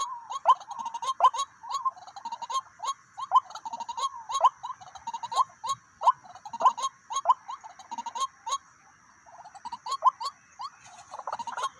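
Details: White-breasted waterhen calls at a decoy setup where two birds came in: short upswept nasal notes repeated rapidly and unevenly, with clicking sounds and a faint steady high tone behind.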